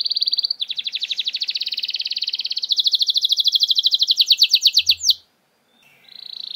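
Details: Canary lure song meant to make silent canaries respond: long rolling trills changing speed and pitch, shifting into faster rattling phrases, a short pause, then a new trill starts.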